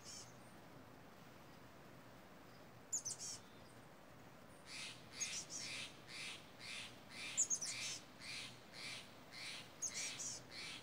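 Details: Two loud, talkative crows among misty mountain redwoods, stirred up by a hawk perched nearby: after a quiet start with tinkling wind chimes, harsh, raspy caws come in a steady run, about one every half second, with chime pings between.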